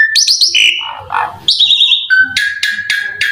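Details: Asian pied starling used as a lure for other starlings: a fast chatter of high notes, then a lower rasping phrase, a bright whistle, and three sharp clicks laid over a steady whistled tone.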